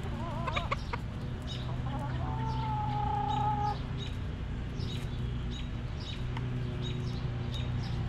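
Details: Backyard chickens in their coop: a drawn-out, tonal, slightly wavering call holds steady for about a second and a half, followed by softer clucks, with high chirps of small birds and a steady low hum behind.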